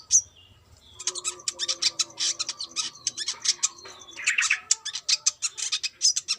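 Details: Brown-throated sunbird with speckled plumage, described as a female calling the male, singing actively: a dense, high, rapid run of sharp chirps and twitters with short buzzy bursts and a few thin whistled slurs, almost without pause.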